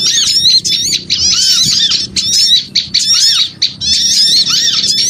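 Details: Noisy small-bird chatter used as a lure: high squeaky bursts, looping arched notes and lower downslurs, in phrases separated by short gaps, faint background hum.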